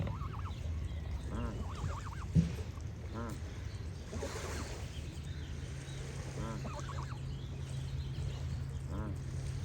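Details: Geese honking: harsh, nasal, harmonic-rich calls in short clustered bursts, about five groups over ten seconds, with a steady low rumble underneath and faint bird chirps in the background.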